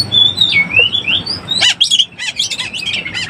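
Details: Oriental magpie-robin in breeding condition, used to lure birds: long slurred whistles swinging up and down, then a rapid burst of harsh, scratchy repeated notes over a low background hum.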